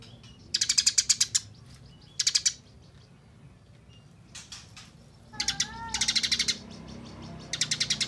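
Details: Eurasian tree sparrow gives a fast, tight fighting chatter: harsh bursts of high chirps, each a rattle under a second long, with one brief slurred note between bursts. It is used as a master song for training songbirds.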